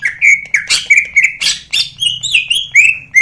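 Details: Loud greater green leafbird song from a national champion: clear whistled notes repeated several times a second, broken by harsh rasping bursts, then rising and falling slurred whistles. A faint constant hum is heard behind.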